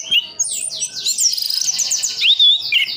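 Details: Orange-headed thrush kept in a cage in Sidoarjo, East Java, producing a rich, continuous rolling warble of high whistles and rapid trilled notes ending in a clear falling slur.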